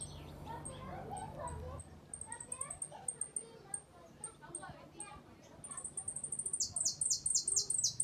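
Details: ['Uruguayan hooded siskin singing in the repique, golpe and pito style. Soft voices at first, then thin, high ticking notes, closing with a fast run of loud, sharp, descending notes.']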